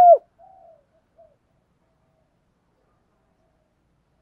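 A spotted dove gives a loud, low, hollow coo that drops in pitch, followed by two fainter, softer coos before silence.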